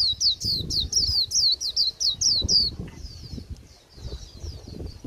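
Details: Japanese white-eye late in the season, singing a dull líu song: loud, bright, high downsweeping notes in a quick even run, then fading to faint twittering, over low background noise.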